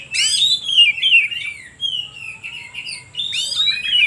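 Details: Oriental magpie-robin song used as a lure to agitate other birds and prompt silent ones to sing: a loud, rich run of sweeping whistles. A brief pause follows, then a bright burst of descending whistled notes. A faint steady high tone persists throughout.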